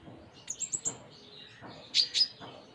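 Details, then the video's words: Brief high chatter from a konin (Ruby-cheeked sunbird): a quick run of thin ticking notes, then two louder buzzy squeaks over a low background hum. "Konin Gacor Full Isian"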